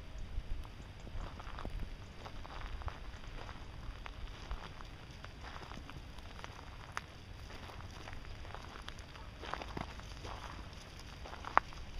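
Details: Low rumbling background noise, like distant traffic or wind, with scattered soft crackles and taps, and no clear animal calls.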